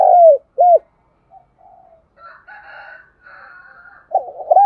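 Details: Spotted dove used as a decoy for trapping, calling in the morning: low hollow coo notes with a rounded, falling shape, a pair at the start and more at the end, with fainter rough chatter between them.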